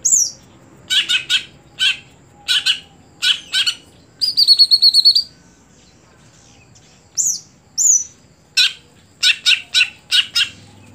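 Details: Greater green leafbird singing: bursts of short, sharp high chirps broken by pauses, a fast buzzy trill near the middle, and clear downslurred whistles late on, over a quiet background.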